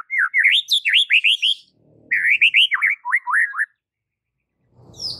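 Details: White-rumped shama song for training captive shamas: two fast bursts of high, rolling whistled notes, each a quick series of rising and falling slurs, separated by a short gap with faint low rumbling.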